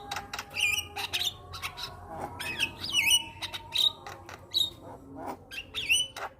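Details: Black-winged starling in captivity, in full lively song while bobbing its head: rapid sharp clicks mixed with loud whistled notes, several bending upward, and harsh squawks, repeated densely throughout.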